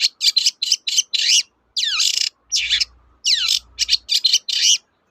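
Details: Long-tailed shrike song used as a lure to prompt reluctant birds to sing: fast, high chattering bursts of varied short notes mixed with sharp downward-sweeping whistles and buzzy phrases, separated by brief pauses, with a faint low hum underneath.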